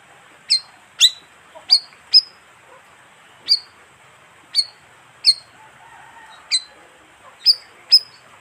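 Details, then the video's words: Bayeman bird lure call, from a species that lives in colonies of 15 to 20 birds: sharp, high chirps, each with a brief falling tail, given irregularly about ten times over steady background hiss. "suara pikat burung bayeman"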